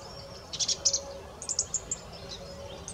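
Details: High, thin song thrush notes in quick groups: a pair of sharp chirps, then a rapid run of short notes, then softer ones fading out, against a steady faint hum.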